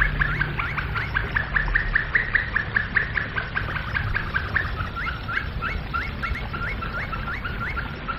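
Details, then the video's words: Domestic canary singing in the flute style (flawta, canto flauta): quick series of clear, even notes, then a switch halfway to a run of rising, hooked whistles, all steadily repeated over a low background hum. "Chant Canari Flawta - Canário do Reino Canto Flauta"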